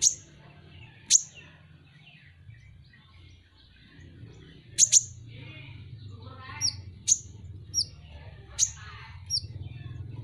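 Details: Van Hasselt's sunbird (kolibri ninja) sounds a long series of very high, needle-thin chips. Some come singly and some in close pairs, mixed with softer short high whistles later on, against a steady low background hum.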